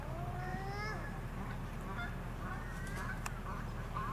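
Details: Eurasian coot (Fulica atra) on the Sunshine Coast, Queensland, in April 2021, giving several nasal, slightly rising honking calls, some short and some drawn out, over a steady low rumble.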